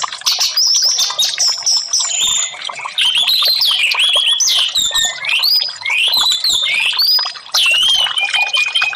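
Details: Orange-headed thrush singing, meant to prompt silent caged birds to sing: rich, fast sequence of clear whistles, trills and slurred sweeps, mostly unbroken, pausing briefly a few times.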